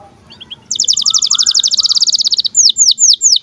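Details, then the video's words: Canary giving birahi (breeding-condition) chirps, used as a tutor and trigger recording to get young canaries singing and rolling; a fast, even buzzy trill of high notes, then several loud down-slurred whistled chirps. "KENARI GACOR Cuit CUIT BIRAHI UNTUK PANCINGAN & MASTERAN Kenari PAUD AGAR BUNYI DAN NGEROL"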